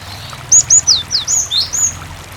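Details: Cinereous tit in lively song meant to get other tits calling back: a loud, fast string of about seven high, sharp, down-slurred chirps, then slightly softer notes, over a faint water murmur.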